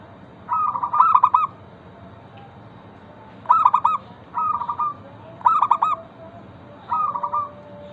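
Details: Local zebra dove song meant to set other zebra doves singing: quick trilled coos in half-second bursts, five phrases with a long pause near the start, some phrases stronger than others.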